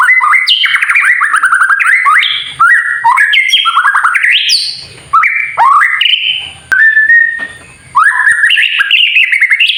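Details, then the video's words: White-rumped shama singing kretekan, a style used to provoke other birds to sing: rich, varied phrases of rapid slurred whistles and chattering trills, loud bursts separated by short pauses. "KRETEKAN murai batu TERBAIK UNTUK MEMANCING EMOSI agar burung murai menjadi GACOR"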